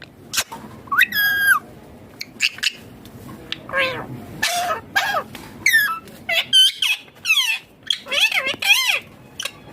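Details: Indian ringneck parakeet, green, chattering and talking in a small room; many short, wavering, nasal syllables and sharp squeaks follow one another, grouping more densely toward the end.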